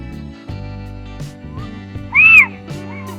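A single loud, mewing Little owl call, rising then falling, lasting about a quarter second. Soft instrumental music plays throughout.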